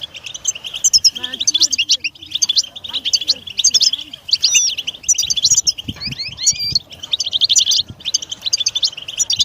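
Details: European goldfinch in full song: dense liquid twitters and buzzy trills, a few rising whistled slurs near the middle, with faint low voices or knocks underneath.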